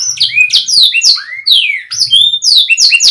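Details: A canary delivers tutor song intended to build confidence in young or stalled birds: sliding high whistles and bright chirps in two short bursts, with a faint low rattle under each.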